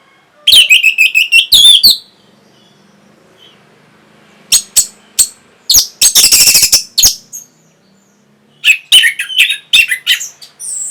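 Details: Orange-headed thrush song intended to raise breeding condition and provoke answers: fast clusters of piercing high chirps and a dense buzzy rattle, delivered in separate bursts with silent gaps.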